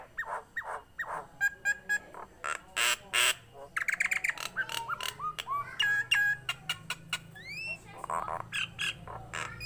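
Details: Nias hill myna, a tame bird in full voice, pours out a jumble of raspy squawks, short bright notes and rising whistled slurs, with a hoarse nasal call near the end.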